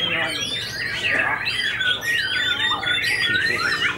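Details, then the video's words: White-rumped shama with unusual white tail, freshly finished moulting, in aggressive fighter mode: long bright whistled notes and looping warbles sliding up and down over continuous murmur of other sounds. "MB UNIK SUPER FIGHTER PASCA MABUNG NGAMUK"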